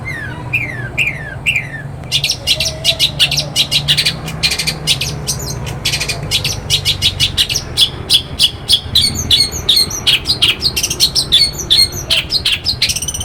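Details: Morning song of a long-tailed shrike from Banyuwangi, used to get other shrikes singing: a few rising whistled slurs give way to rapid, dense scratchy chatter that speeds into a continuous stuttering burst of harsh notes.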